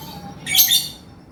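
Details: A single loud, shrill, buzzy chattering burst of about half a second from a male lovebird in 'gacor' form, with 'ngekek' chattering, fading into quiet hum.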